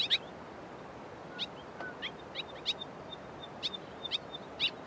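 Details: White-throated swallow, one of its two distinct vocalisations: clear, thin, high chirps repeated at irregular intervals of roughly half a second to a second, some doubled, against soft background noise.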